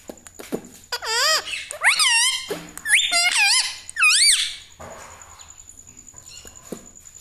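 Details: Talking pet parrot copying household words like mummy and radhe radhe produces four or five bright, bending, speech-like syllables in a row. A steady high electronic whine hums in the background of the small room.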